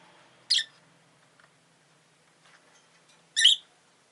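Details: Rosy-faced lovebird making two short, scratchy chirps about three seconds apart, over a faint low hum.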